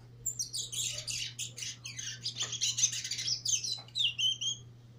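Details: Trinidad chestnut-bellied seed finch (Trini bullfinch), a brown nurser set against a teacher bird in a 2018 singing competition; dense, rapid warbling of high chirps and trills running continuously with hardly a pause, ending in a thin rising whistle.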